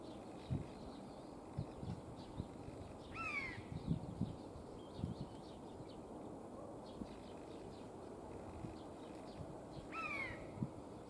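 A Eurasian jay gives two short, hoarse, downward-sliding calls about seven seconds apart, over low irregular thumps and a faint outdoor hum.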